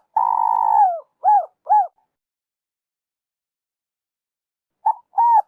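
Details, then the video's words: Spotted dove phrase from An Khe, Vietnam, played as a trapping lure: a long sustained falling coo followed by two short arched coos, silence, then a quick double note opening the next phrase. "Tiếng chim cu gáy dành cho ae đi bẫy"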